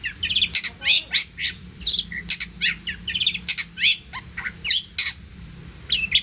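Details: Long-tailed shrike pouring out a busy mimicry-laden song for training other birds: rapid runs of scratchy chirps, short twittering trills and bright upslurred whistles, nearly continuous throughout.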